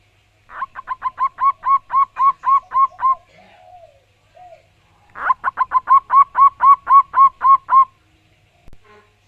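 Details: Local wild-type zebra dove singing loudly and clearly: two rapid bursts of about a dozen ringing, hooked cooing notes, each burst lasting around two and a half seconds, separated by a short pause with a few soft low notes.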